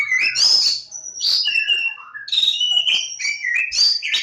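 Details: Singing Oriental magpie-robin (Kacer Jawa) from Lebakgowah delivers bright, loud whistles, some long and steady, others quick slurred notes and sharp clicks, in a lively, nonstop varied sequence.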